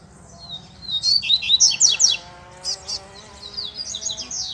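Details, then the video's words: Wild double-collared seedeater lured in scrubland, delivering fast, buzzy, high warbled phrases of slurred chirps in two bursts, with a soft steady hum underneath. "COLEIRO NO MATO TOP ATÉ FILHOTE PIANDO APARECEU!!!"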